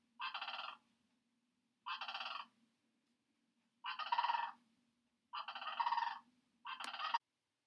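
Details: A migrating Sandhill Crane (Antigone canadensis) gives five loud, rolling, trumpeting calls, each under a second long and about one to two seconds apart, over a faint low hum.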